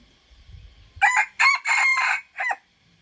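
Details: Red junglefowl, a young wild rooster learning to crow, gives a rough four-part crow: two brief harsh syllables, a drawn-out level middle note, then a short closing note after a pause, preceded by soft low rustling.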